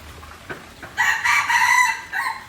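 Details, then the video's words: Junglefowl from Aceh crowing: a loud, harsh, harmonic crow of about one second, broken into several strained segments, then a short trailing note; faint background noise. "Ayam Hutan Aceh"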